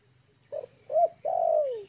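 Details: Tame lure spotted dove, settled and at ease on the ground in a yard, giving one phrase: a short soft note, a rising-falling double coo, then a long mellow coo sliding downward.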